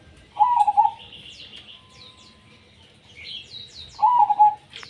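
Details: ['Zebra dove (perkutut) singing in the tumpang sari style: two short bursts of rapid, rolling low coos about three and a half seconds apart, with thin high chirps and twittering from other birds in between.']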